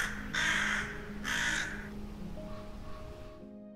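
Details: A rook gives two harsh, raspy caws about a second apart over soft background music, one of the rook's most common calls. Rooks nest socially in rookeries and are most often seen in flocks.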